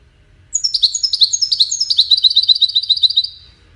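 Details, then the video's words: Wedani-style goldfinch song, used for teaching young chicks to sing. It opens with descending high chirps, then a fast, even, tinkling trill runs for about three seconds before stopping. "تغريد ويداني لتسميع فراخ الحسون"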